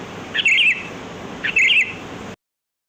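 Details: Sooty-headed bulbul singing in the wild, a recording used to lure birds: two bright, warbling, quickly rising and falling phrases about a second apart, then sudden silence.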